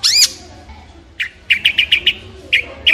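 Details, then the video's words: Long-tailed shrike opening with one loud, high, slurred note, followed by a burst of short harsh notes repeated rapidly at a lower pitch. "Long Tailed Shrike With Beautiful Sound"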